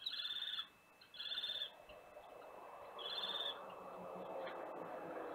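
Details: Common kestrel pair at a nest box in Théding, France, 16 July 2021; three high, thin, drawn-out calls about half a second each, spaced irregularly, followed by rustling and a low steady hiss.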